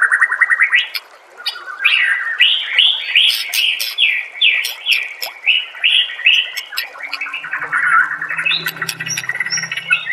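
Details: Training song of a white-rumped shama: a steady series of short, rapidly repeated rising whistled notes, about two or three per second, then varied warbling, with a faint low hum near the end.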